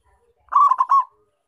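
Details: Zebra dove of the local Indonesian type, a keen caller used for luring wild perkutut. One short, rich cooing phrase of three quick rounded notes, lasting about half a second, clean and unaccompanied.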